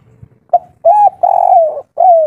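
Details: Local Indonesian spotted dove giving its 'kuk 3' cooing song. A brief clipped note is followed by two drawn-out, soft, descending coos and a final mellow coo. A faint low hum sits underneath.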